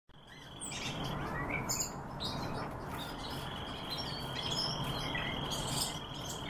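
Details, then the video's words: Barn swallows (Hirundo rustica) give quick, high twittering chirps, several per second, over a steady thin whine and a broad rushing background noise. "Hirundo rustica - ДЕРЕВЕНСКАЯ ЛАСТОЧКА"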